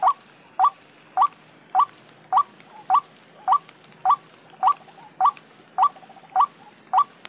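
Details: White-breasted waterhen said to have lost its mate, giving a steady series of short upslurred notes, about 100 a minute and very evenly spaced, over a faint high steady hiss.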